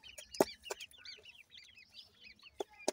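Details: Chicks of the partridge, playing, give a string of high, arching twitters in the middle, bracketed by loud clacks at each end.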